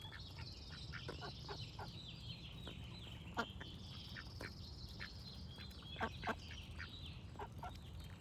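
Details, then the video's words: Duck quacking in short, rasping bursts repeated irregularly, several per second at times, with songbirds whistling and trilling high above throughout. "Cute Duck Quack Sound Effect with Birds Singing"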